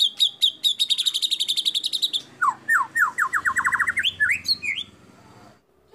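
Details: White-rumped shama (murai batu) singing a competition-style burst with fierce, rich fill phrases favoured by judges: a quick run of sharp high notes repeated about four per second, then a fast series of slurred descending notes ending in rising flourishes, with a low background hum.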